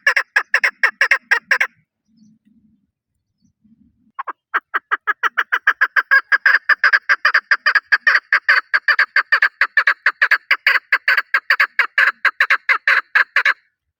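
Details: National bird of Pakistan, the chukar partridge, opens with about ten rapid clucks. After a pause with faint soft low notes comes a sustained run of loud, closely spaced chuk calls lasting over nine seconds.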